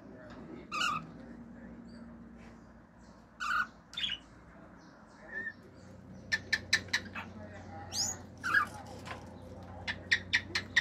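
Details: Male pet cockatiel kept at home, singing natural songs, wolf-whistles and clicks and imitating other birds: scattered short squawky whistled notes early on, then a quick run of sharp dry clicks and chirps from the middle to the end, over faint room hum.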